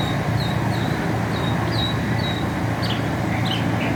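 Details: Mockingbird song recorded in America: a series of short, even whistled notes repeated about three times a second, then a switch to sharper upslurred chirps, with a loud rumbling vehicle background.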